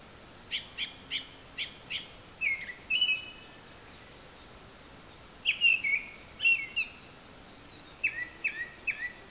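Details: Japanese thrush singing from high up, apparently mimicking various calls: a run of short evenly spaced clicking notes, then rich whistled warbling phrases and a closing trio of descending slurred whistles.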